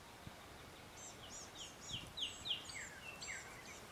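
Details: Northern flicker calling at Vernon Marsh, a run of clear, high, down-slurred notes repeated several times a second, strongest in the middle and fading toward the end, with faint broadband background hiss.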